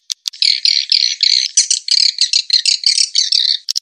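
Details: High, buzzy chattering of edible-nest swiftlet lure call, used to entice birds to roost: a continuous string of rasping chirps, about three per second, opening and closing with a few clicks.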